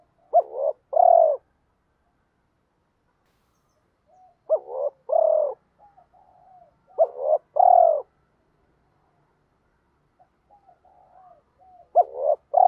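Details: Spotted dove cooing, used to push reluctant caged doves to start calling. Low, hollow coo phrases, each a quick stutter of short notes ending in a longer throaty hoot, repeated about every three and a half seconds. Quiet background.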